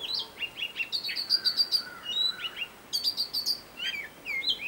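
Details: Robin singing one of its varied tunes, a bird described as a great mimic: bright high whistled notes, quick rising and falling slurs and short buzzy chattering bursts, given in rapid, changing phrases with brief pauses.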